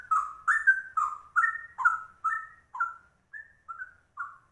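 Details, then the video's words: Rare trucuk, or yellow-vented bulbul, giving a cucak rowo-like rolling song: a series of mellow, slurred whistles, strong at first and then softer and more spaced toward the end. "Trucuk langka ropelannya cucak rowo"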